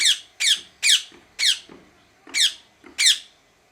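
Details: Parrot calling with six loud, grating squawks spaced roughly half a second apart, each note sharp and descending, with softer low clicks between calls.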